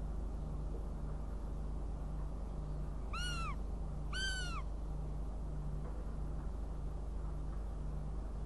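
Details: After a few seconds of low hum, a northern goshawk in Riga on 29 June 2016 gives two sharp, arching wails about a second apart, then falls silent.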